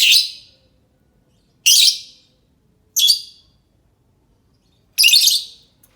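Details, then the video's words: Shrill lovebird screeches meant to draw replies from other lovebirds, four harsh high bursts spaced roughly every one to two seconds, each fading quickly, with near silence between. "Suara Burung lovebird cocok untuk pancingan lovebird pasti nyaut"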